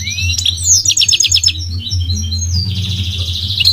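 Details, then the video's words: Migratory goldfinch song: a rising whistle, then a fast series of repeated chirping trill notes and a drawn-out buzzy phrase. A steady low hum is underneath. "The elegant migratory goldfinch sings the most beautiful singing"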